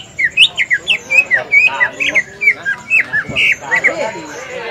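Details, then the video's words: Lure song of a green leafbird recorded at a practice contest on Semparuk field. Shrill whistled and squeaky notes come about twice a second, varied in shape, over faint voices in the background. "Pancingan Suara Cucak Ijo"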